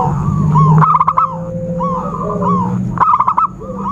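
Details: Trapping lure recording of zebra dove: two bursts of quick, stuttering coo notes about two seconds apart, with drawn-out whistles from other birds and a constant faint whine behind.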